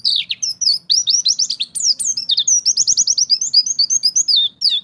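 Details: Contest-grade white-eye in ngalas song, unloading its fill phrases in a continuous high stream of quick slurred whistles and rapid chirping trills, notes repeated several per second with hardly a pause, over very faint low background.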